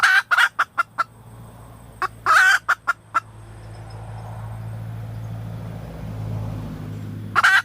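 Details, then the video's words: Calling female red junglefowl: short clucks and a harsh squawk in the first three seconds, a stretch of low rumbling background noise, then another squawk at the end. "เสียไก่ป่าตัวเมีย,Suab poj qaib tsauj cuab tuaj zoo tiag"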